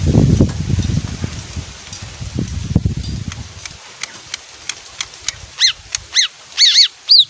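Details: Leafbird known to sing on hearing music: low rumbling background noise at first, then thin high notes spaced apart, building into loud arched whistles repeated about once a second near the end.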